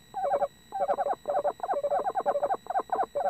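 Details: Male and female Eastern Screech Owls calling or "talking" to each other up close in a nest box: quick stuttering bursts of mid-pitched chattering notes, each burst a few rapid pulses, separated by short pauses.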